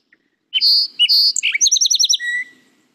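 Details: Song sparrow, a very common songbird, giving a varied song: two bright opening notes, a rapid trill of sweet chips, then a long drawn-out buzzy ending.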